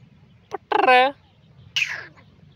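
Black francolin giving a short grating, rasping call: a click, a harsh buzzy phrase, then a scratchy final note, all within about two seconds.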